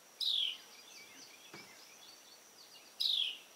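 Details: Carolina wren (Thryothorus ludovicianus), making noise while preening, gives two sharp, high downward-sliding notes about three seconds apart, with faint chirps of other birds and a steady high insect-like hum behind.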